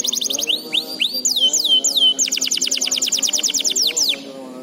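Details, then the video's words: Canary song used as a training recording for young canaries: rapid, high, sharply repeated trill notes, then swooping whistled slurs, then another fast even trill, over faint low, steady musical tones. "MASTERAN AMPUH COCOK BUAT KENARI PAUD JADI RAJIN GACOR NGEDOR"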